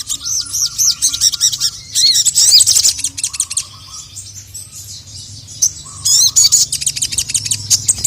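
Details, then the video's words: Sogon in captivity, a female calling and a male reacting angrily. Dense high chattering trills and squeaky arched notes in two loud bursts separated by a quieter stretch with a faint lower flat tone. "SOGON GACOR LANGSUNG NYAUT EMOSI NGAMUK DENGAR SUARA BURUNG SOGON MEMANGGIL JANTAN INI"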